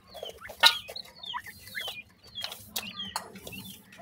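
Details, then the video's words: Partridge chicks (bhoray teetar) giving high, thin peeping chirps that slide downward, repeated irregularly, with a few louder sharp clicks and handling knocks. "pheasant bird chicks ki voice,partridge babies"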